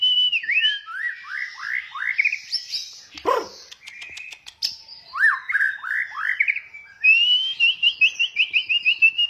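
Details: Oriental magpie-robin song recorded while training a young bird: varied phrases of rapid descending slurred whistles in quick series, a brief harsh note midway, and a closing run of repeated clear whistled notes.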